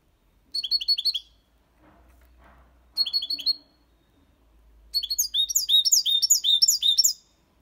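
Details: Goldfinch, six months old, performing Malaga-copy song for young birds to learn: two brief phrases of sharp, clipped chirps separated by pauses with faint low rumbling, then a long, fast, buzzy twittering passage.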